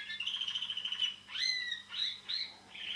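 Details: Caged pet canary song with a sustained high trill followed by separate sweeping, upward-curving chirps and a short final trill, over a faint constant electrical hum.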